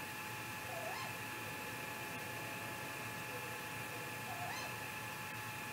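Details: Great grey owl at night, 3:58 am on 15 May 2018, on a live nest camera in Mission Valley, during a possible confrontation: two faint rising-then-falling whooping calls about three and a half seconds apart over a steady electrical hum.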